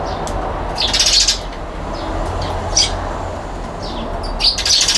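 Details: Eurasian tree sparrow on a balcony in Japan, November 22, 2021, keeping a spot to itself; loud short chirps in bursts at about one, three and five seconds over steady low background hum.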